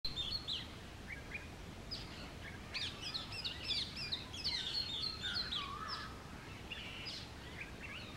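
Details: An Oriental magpie-robin sings in early morning in the summer mating season, a rich, varied run of bright whistles, chirps and short warbled phrases at a brisk pace over a steady low background hiss.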